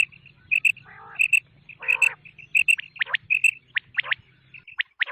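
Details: Quail (batair) night call: sharp, high paired notes and quick downslurred whistles repeated in rapid bursts, with two low, buzzy rattles in between.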